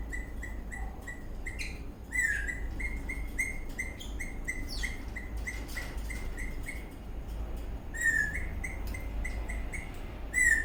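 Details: Eastern rosella parrot chirping while dancing in a happy mood: steady strings of short whistled notes with a couple of louder downward-slurred squeaks, over a low background hum.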